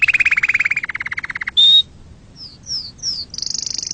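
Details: Canary singing for chick tutoring and mating: a buzzy trill that slows, a pure sustained whistle, three sliding high notes, then a fast high trill.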